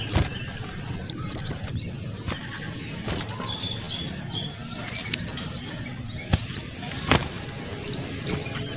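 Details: Small minivet calling, male and female together, as a model for oriental magpie-robins: loud shrill high whistles in a quick burst at the start, then a steady stream of faint thin swept notes and scattered clicks.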